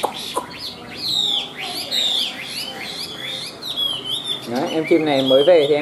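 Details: Chinese hwamei kept in a cage, white-winged and white-tailed, a high singer; bright looping whistles and quick slurred phrases, then a low harsh harmonic stretch over the song near the end.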